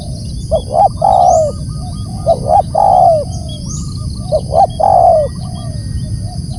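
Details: Loud calling by a spotted dove, three evenly spaced phrases of two quick coos and a long descending purring note, each roughly two seconds apart, with constant low hum and faint whine.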